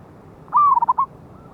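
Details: Clean single phrase of a loud-voiced wild local zebra dove (perkutut), lure recording dated 11/8/24: a long gliding note that drops into four quick, rolling coos, on a quiet background.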